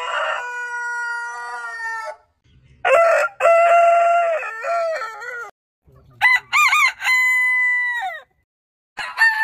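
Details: Heritage-breed roosters crowing: a level harmonic crow, then one with a stuttering start and held tone, then another with quick broken syllables and a long steady ending, pauses between.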